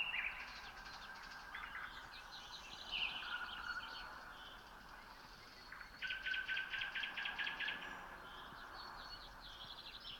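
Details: Common nightingale at 3 a.m. in late May 2018, Red Hill, Moscow region, Russia, singing varied phrases, then a loud series of about ten evenly repeated hard notes, while other birds sing in the background.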